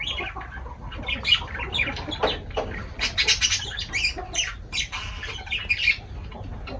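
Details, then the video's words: Lovebirds feeding and calling, loud high chirps and harsh squeaks in quick runs, several birds overlapping, faint background hum. "Love birds voice sound"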